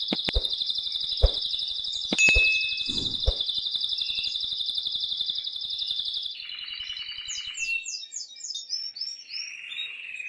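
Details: Excited male canary singing to stimulate the female for mating: a long rapid buzzy trill for about six seconds, then varied whistled notes and quick descending slurred phrases, with a few sharp clicks early on.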